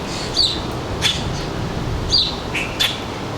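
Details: Birds visiting a suburban backyard feeder in northern New Jersey on a July afternoon around 4 p.m.: two quick pairs of high, thin chirps, each a slurred note followed by a sharper tick, over constant low hum.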